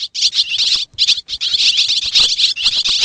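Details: Swiftlet calls from Xiangkhouang, Laos, form a dense, almost continuous chatter of shrill twittering notes. Two brief pauses break the stream near the start.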